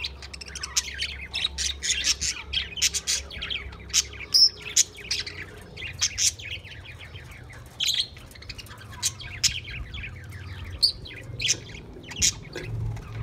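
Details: Budgies on 28 April 2023 chatter steadily for the whole stretch: continuous high, clicky chirps and short whistles in irregular bursts, with brief louder peaks and a soft low rumble underneath.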